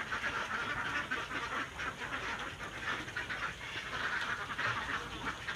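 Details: Flock of farmed ducks laying eggs in communal nests keeps up a continuous noisy din of raspy quacks, calls tumbling over one another with rhythmic surges throughout.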